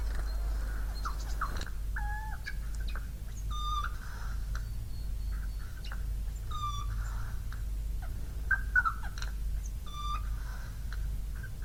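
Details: A wild Siberian jay imitates coughing and meowing: short, husky cough-like bursts mixed with brief mewing and whistled notes every second or two, over a steady low rumble.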